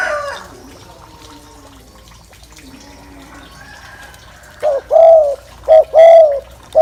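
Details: Low spotted dove coos, a gù call used to rouse males, arrive after a quiet start: short clipped notes alternating with longer mellow hums near the end.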